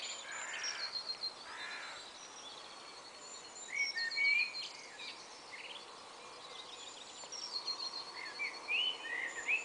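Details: Common blackbird singing from 5am in a garden valley dawn chorus on 16 April, a bright clear spring morning free of aircraft noise. Fluty whistled phrases ring out near four and nine seconds over a busy wash of other birds' high chirps and trills.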